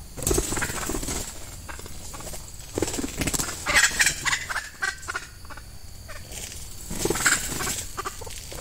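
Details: Red junglefowl, a female kept as a lure for wild males in peat scrubland clearings as the season begins; rough, broken clucking bursts come in uneven clusters among crackling brush and rustling leaves.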